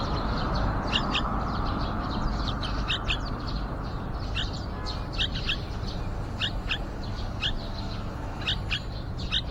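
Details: Busy, irregular high chirps and doubled notes from yellow-vented bulbuls nesting outside a window, where a younger nestling answers the parents. Continuous low background noise beneath.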